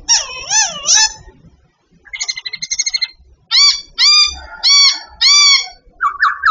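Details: Babbler singing during daily training: wavering, rich harmonic notes, a fast stuttering trill, then a series of short descending whistled phrases repeated about once a second, ending with a lower chattering note.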